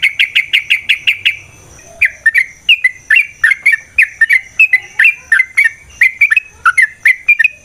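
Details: Yellow-vented bulbul (trucukan) song to provoke a fighting response: begins with a fast even rattle of chirps, then switches to a long stream of liquid, downslurred whistled phrases.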